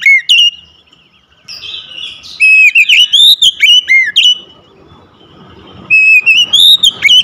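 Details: Oriental magpie-robin kept at home, sounds meant to restart a silent caged bird, delivers loud sweet whistles, sliding upward notes and scratchy bursts in rapid phrases, pausing briefly between them, over faint background rumble.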